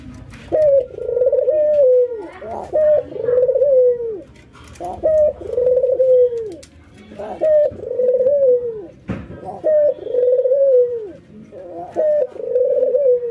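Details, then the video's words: Ringneck doves, a white albino against a local bird, in routine training while nodding and laughing: rolling, laughter-like coos dropping in pitch, repeated about every two and a half seconds in a small room. "puter putih albino versus puter lokal ngangguk dan tertawa"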